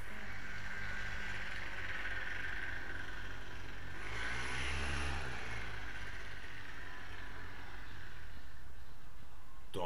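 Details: A steady low engine rumble from a passing vehicle dominates throughout, with a faint voice and wind noise but no animal calls.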